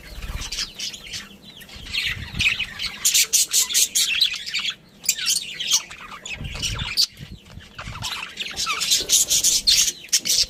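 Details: Pet budgerigars, a breeding pair with family, in busy overlapping chatter. Clusters of harsh squawky chirps and thin twitters come in waves, with brief pauses and a few low knocks.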